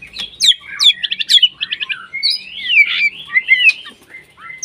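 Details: Breeding-condition white-rumped shama singing to call out a rival: a string of sharp whistled upsweeps and quick chattering notes, then a wavering, rolling warble and a final short whistle.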